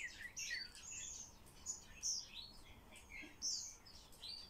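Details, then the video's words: Common starling in training to talk, chattering a rapid jumble of squeaky whistles, sliding chirps and buzzy high notes in short bursts, louder peaks around two and three and a half seconds, over a quiet room hum. "Обучение скворца разговору"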